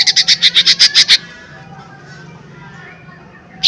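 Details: Lesser green leafbird lure song: a quick burst of about nine loud, high chips, followed by near silence and a final sharp note at the end.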